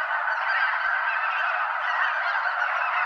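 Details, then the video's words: Airborne flock of more than 200 snow geese circling Limestone Bay at Wheeler National Wildlife Refuge, Alabama; brief burst of loud, densely overlapping honking yelps, continuous and even. "Snow Geese Mega-flock Fly Arounds at Wheeler National Wildlife Refuge - Limestone Bay"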